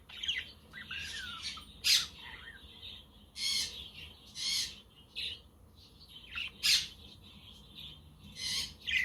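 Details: Sunny, windy-day budgerigar chatter intended to keep lonely budgies company, with a quaker parrot and a conure also calling. A busy mix of twittering warbles, rising whistles and loud raspy bursts continues throughout.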